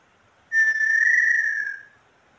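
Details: Single drawn-out whistle from a female small-billed tinamou in Brazil, starting abruptly, holding a clear flat tone for over a second, then tapering off into quiet.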